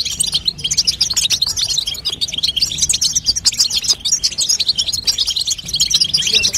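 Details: Babtaba of a female European goldfinch, meant to strengthen a young bird and make it sing: a steady stream of sharp, high chirps and liquid trills, fast and unbroken.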